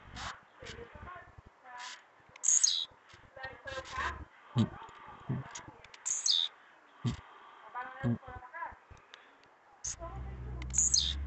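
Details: Blue-black grassquit singing repeatedly, trincado style: high, buzzy, down-sweeping phrases recur several times among busy clicks, knocks, murmuring and a low hum toward the end.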